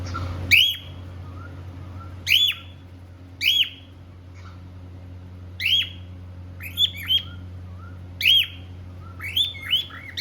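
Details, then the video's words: A happy pet cockatiel, one of a pair, sings and whistles while playing: sharp, upslurred whistles, single or in quick pairs, every second or two, with a steady low hum behind. "Happy cockateil bird singing and playing"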